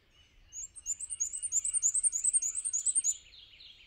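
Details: ['Black-and-white warbler singing while flying from perch to perch: a high, squeaky wee-see wee-see series of paired notes, about 2.5 seconds long, likened to a squeaky wheel; faint lower bird notes and low rumble in the background.']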